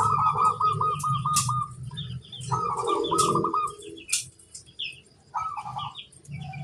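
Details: Zebra dove master song from a local bird said to set others answering: three bursts of quick rolling coos, each about a second long, with scattered chirps from other birds and thin high clicks between phrases.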